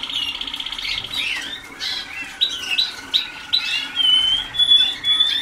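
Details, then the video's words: Waterslager canary pupils, newly begun in song training, produce a quick series of rising chirps about twice per second, ending in a clear, drawn-out high whistled note. "Alumnos de la Escuela de Canto"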